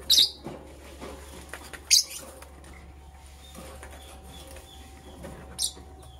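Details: Green and blue lovebird chirping while preparing for egg laying: three short, sharp, high chirps spaced a couple of seconds apart over a low steady hum and faint rustling.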